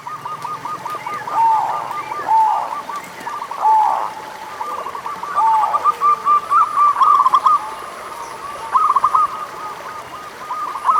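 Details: Local zebra dove song used as a lure to prompt doves slow to sing: soft rounded coos spaced about a second apart, then a faster run of rolling, stuttering coo notes overlapping from more than one bird, over faint steady hiss.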